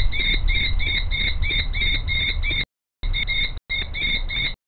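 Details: Common kestrel female calling as her mate shapes a nest scrape before her; a fast series of shrill, ringing notes, roughly three per second, cut by two short silences, with a low background rumble.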